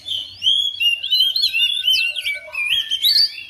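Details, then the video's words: Home-kept oriental magpie-robin answering another bird within seconds, singing a rich run of sliding whistles and quick chirps with bright upward sweeps, fairly continuous for three and a half seconds, with a faint low hum behind. "KACER RUMAHAN RESPON NYAUT IKUT GACOR"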